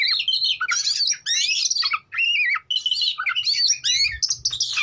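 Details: Oriental magpie-robin singing to provoke rivals into singing and responding: loud, clean phrases of warbled whistles, sweeping slurs and harsh chattering notes in quick bursts separated by short pauses.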